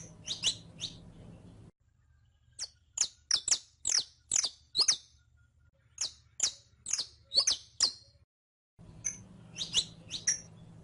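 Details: Song of a caged saffron finch (canario criollo) meant to teach young birds to sing: clusters of shrill downward-sweeping chips, a long rapid series of about ten notes, then further paired chips, light background hum.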